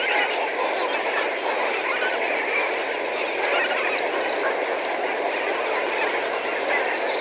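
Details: Several thousand Lesser Flamingos heard at medium distance, giving a thick, droning chorus of overlapping honks and gabbling notes, with faint higher chips scattered through it.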